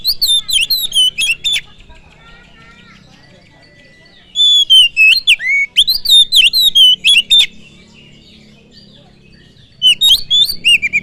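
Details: Kacer lure song, an oriental magpie-robin recording meant to provoke rival birds: three loud bursts of fast, varied whistled and slurred notes, separated by pauses of a few seconds.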